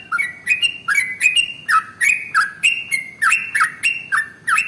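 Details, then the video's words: Trucukan (sooty-headed bulbul) giving a long rapid ropel song intended to stimulate singing in other birds. Evenly paced sharp chirps, each with a clicky start and bright whistled tail, roughly three per second over soft background noise. "SUARA Trucukan ropel SUPER PANJANG paling AMPUH untuk PANCINGAN burung gacor"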